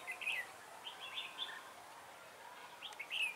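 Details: Red-whiskered bulbul used as a decoy to lure wild birds for trapping, recorded 3 November 2017: short, bright, warbled phrases at the start and again near the end, separated by a quiet gap, over faint background hiss.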